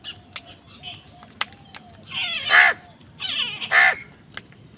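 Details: Crows in a fight with wild birds over food, giving two loud, harsh, drawn-out caws about a second apart, with some clicks and faint chirps around them.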